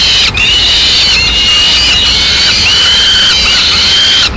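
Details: Female peregrine falcon arriving with prey to feed the chicks, Madrid, Spain, 9 May 2016: a loud, continuous, drawn-out whining squeal that wavers slightly in pitch, with brief breaks near the start and end.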